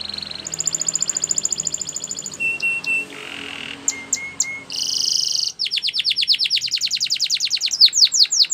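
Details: Spanish Timbrado canary singing training song in varied tours: a steady rapid trill, short whistled notes, a buzzy rattle, then long runs of fast descending sweeping notes that speed up toward the end.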